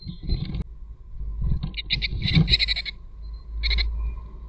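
Tits at the nest give short bursts of high, buzzy calls, rich in overtones, in two clusters about a second apart, over a steady low rumble.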